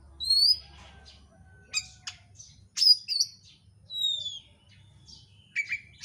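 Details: Oriental magpie-robin, used as a lure to make other birds sing: clear high whistles that slide downward, mixed with sharp chips and buzzy notes, spaced by short pauses.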